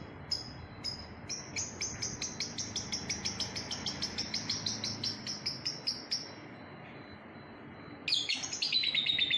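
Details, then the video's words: Lovebird chirping: a fast run of short, high, sharp ticking chirps, evenly spaced at about two per second for six seconds, then a pause and a louder, denser burst of shrill chatter. "kicauan love bird ini bikin hati riang"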